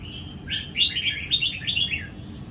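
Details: Young red-whiskered bulbul from Sông Kon, freshly moulted and kept caged, sings during a morning sunbath: one rapid run of clear, warbling whistled notes, rising then falling, lasting about a second and a half.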